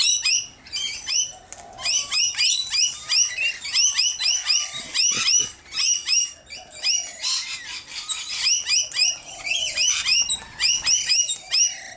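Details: At a backyard seed feeding in Nerang one morning, 13 September 2019, rainbow lorikeets hovering to grab seed give a dense, nearly continuous chorus of shrill, screechy chattering calls, with baby lorikeets' begging heard in the background.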